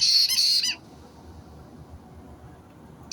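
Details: White-bellied caique parrot, 29 March 2022: a loud, harsh, stuttering screech in three quick bursts at the start, a long quiet gap, then another screech beginning at the very end.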